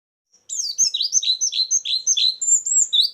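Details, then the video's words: White-eye song used as a lure for trapping birds: a fast run of high, sharp chirps and short sweeping whistles, each note dropping or swooping, repeated several times a second after a brief silence. "suara burung pleci pikat+isian"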